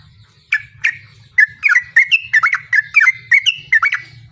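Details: Sooty-headed bulbul in lively form singing a long 'ropel' song used to lure other bulbuls into replying: after half a second of quiet, a rapid run of short bubbly, chirpy notes tumbles on without pause, with a faint low hum beneath.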